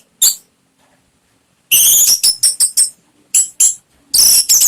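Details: Lure song of an orange-headed thrush for prompting a kept bird to sing openly: bursts of sharp, high, clipped whistles separated by quiet gaps, the phrases quick and choppy.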